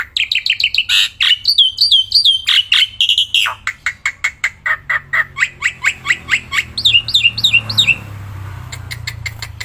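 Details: Captive black-winged myna singing without pause outdoors while handled: fast sharp chattering notes and looping whistles, then a long string of quick evenly spaced chips, with soft background rumble.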